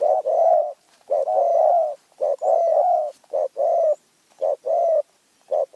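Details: Spotted dove of Phrae, Thailand, noted for a small, fierce voice. Its soft, hollow coos come in short-long couplets, repeated steadily with brief pauses in a quiet setting.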